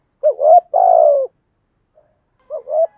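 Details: Spotted dove used as a lure, thổ voice style: one complete two-part coo, short rising then long falling, and after a pause the start of another phrase.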